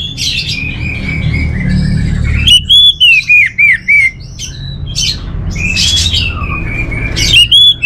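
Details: Caged orange-headed thrush in Bali: a long thin whistle, then a loud series of about six strong repeated notes, followed by varied high phrases, over a low steady hum.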